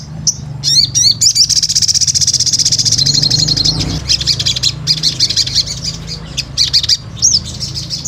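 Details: Sunbird (sogon), energetic lure recording: a few sharp rising chirps, a long dense high rattle, then scattered rapid ticking bursts. Low background hum.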